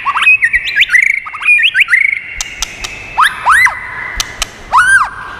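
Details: White-rumped shama singing to stimulate and train birds: quick whistled notes and upslurs, then spaced loud swooping whistles that arc up and fall, with sharp clicks between phrases.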